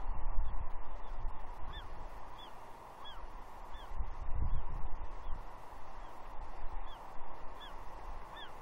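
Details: Female juvenile bald eagle at Two Harbors, Catalina, 30 June 2021, mantling and squeeing at her father for breakfast fish: high, arched squeal notes repeated every half-second to second throughout, over a steady broadband roar.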